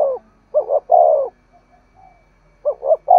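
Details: Spotted dove cooing in the 'thúc gù' style meant to lure wild doves. Two brief phrases of stuttered double notes then a long falling coo, separated by a soft pause.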